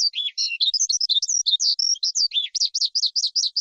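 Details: Forest skylark song: a dense, unbroken stream of high twittering notes that mixes buzzy slurs with clean whistles, ending in a rapid series of repeated rising-falling chirps; the background is quiet.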